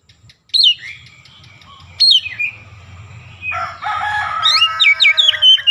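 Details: Oriental magpie-robin song mixed with Javan myna mimicry: two sharp, descending whistles, a long rough, grating phrase, then quick, bright whistled notes at the end.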